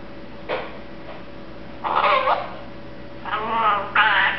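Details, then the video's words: One-year-old male pet Eclectus parrot, sleepy and contented, mumbles soft, speech-like phrases in short bursts, wavering up and down over about four seconds, with a low steady hum behind. "the Mumbling Eclectus Parrot"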